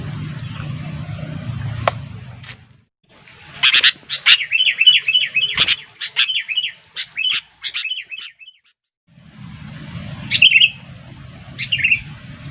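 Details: Sooty-headed bulbul used to lure birds into a trap. A lively run of loud, wavering whistled notes repeats rapidly for about four seconds. Two short bubbly phrases follow after a pause. A low rumbling noise is heard at the start and end.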